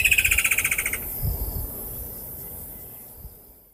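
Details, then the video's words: A Woodland Kingfisher gives its distinctive southern African call, a high, rapid trill of about fourteen sharp notes sliding slightly downward over one second, followed only by a low background rumble. "The most well-known is the call of the woodland kingfisher."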